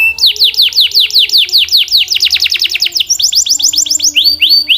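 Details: Canary song: a fast run of high, sharply descending whistled notes repeated more than twice a second, speeding into a denser burst, then a new phrase of similar swooping notes, over faint low tones.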